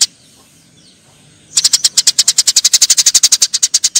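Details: Eurasian tree sparrow fight: after a second and a half of near-quiet, a loud, steady volley of about twenty-five harsh, high chirps follows at a fast, even pace.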